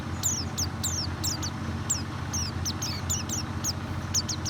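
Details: Lure recording of a white-eye, meant to coax a reluctant bird into singing: a quick series of thin, high, downslurred chirps, about two a second, over a constant low background hum.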